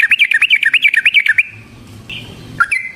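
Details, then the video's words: Yellow-vented bulbul in a chatty, long-rolling song meant as a trapping lure to make other bulbuls sing: a fast run of bouncing, wavering notes for over a second, then a few softer scattered notes. "Suara Burung Trucukan GACOR ROPEL Panjang Ampuh Untuk PANCINGAN TRUCUK Bahan dan PIKAT TRUCUK"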